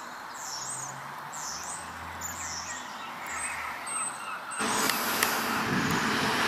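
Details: Waxwings giving thin, high, sibilant trills in short repeated bursts through the first four and a half seconds over a low traffic rumble. A loud wash of broadband traffic noise then swamps the rest.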